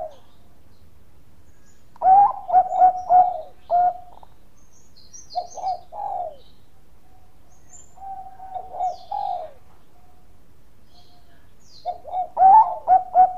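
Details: Bangkok zebra dove song serving as a lure for other doves: bursts of rapid, stuttering low coos in three phrases, each a quick run of mellow notes ending on a longer tone, quiet between phrases.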